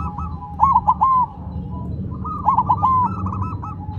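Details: Zebra dove singing vigorously while set down on the ground: two bursts of rolling, stuttering coos near one pitch, each phrase a quick series of bubbling notes ending in a drawn-out coo, with a low background rumble.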